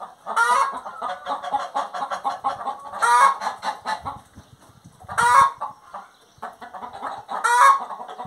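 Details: A singing hen gives strong harmonic squawks about every two seconds, with a steady run of quick murmured clucks filling the gaps between them.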